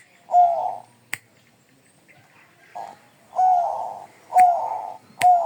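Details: Agitated song of a Bangkok zebra dove: one purring coo, a pause broken by a single click, then a softer note and three more rough coos in close succession, with sharp snaps between the last ones.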